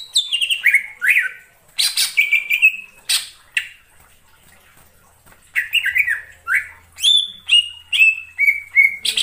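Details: Greater green leafbird (Chloropsis sonnerati) sings a lively run of clear, falling whistles mixed with short chattering bursts, delivered in quick phrases with brief pauses.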